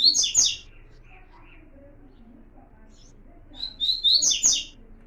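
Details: Double-collared seedeater warm-up song meant to get a seedeater singing pure Tui Tui style: two bursts of loud buzzy, warbled high phrases, the second starting with rising whistles, separated by a quiet stretch with faint murmurs.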